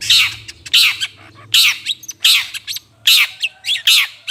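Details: Long-tailed shrike, used as a lure to attract birds: loud harsh squawking notes, each a rasping burst repeated unevenly about once a second, over a low steady hum.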